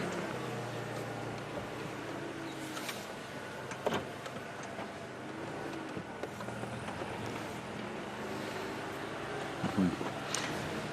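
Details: A vehicle engine idles and rumbles with a few clicks and knocks, and no animal voice is heard.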